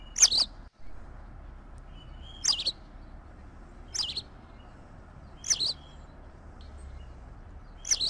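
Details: White wagtail, Motacilla alba: sharp high two-part chirps repeated roughly every one and a half seconds, each brief and bright, over quiet low background noise.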